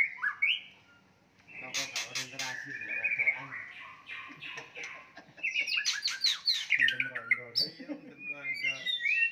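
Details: White-rumped shama fighting song to provoke rivals; varied whistles and harsh rasping bursts, with a low background hum and some clicking noises through the recording.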